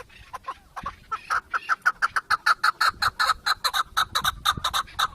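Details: Chukar partridge call that starts with soft scattered notes and builds into a loud, regular chuckling series of about four harsh notes per second.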